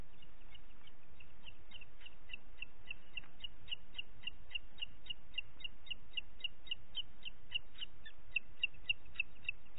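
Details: Booted eagle calling in Parc Natural dels Ports on 27 June 2021 at 09:06: a long run of fast, high, sharp notes, about three to four a second, continuing throughout over a steady low rumble.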